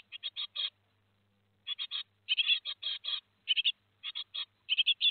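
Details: Great tit nestlings two days before fledging, 15 July 2020, Théding, France, call in quick bursts of harsh, high, raspy notes, several chicks overlapping in clusters with short pauses between.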